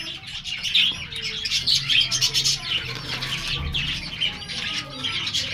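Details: Red-eyed baby budgerigar chicks chatter in a busy stream of high, scratchy chirps and squeaks.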